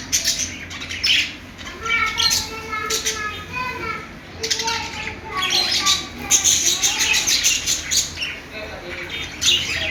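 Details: Budgerigars chirping and chattering in a busy, overlapping stream of short high warbles and squeaks, with brief harmonic notes and bursts of sharper chirps rising and falling over about ten seconds.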